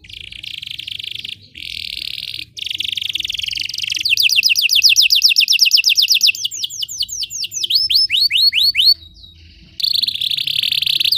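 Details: Belgian canary song mixing buzzy, rattling rolls with a clear trill of falling notes, then slower, wider downward sweeps, ending in another buzzy roll.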